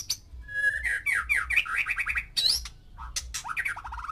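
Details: White-rumped shama, one male singing with six females to stir their mating urge: a rich, varied run of rising whistles, fast rattling trills, sharp high upward sweeps and a falling trill at the close, over a faint low hum.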